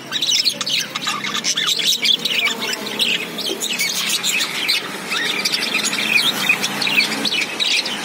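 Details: Busy budgerigar chirping: many overlapping high, scratchy twitters and warbles run steadily throughout, like a chattering group of birds.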